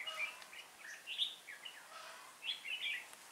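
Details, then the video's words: Red-whiskered bulbul used as a decoy bird for trapping, recorded on 19 January 2018; short bright warbled phrases in bursts, several notes rising and falling, with a quieter gap before a final cluster of chirps. "Bẫy chào mào"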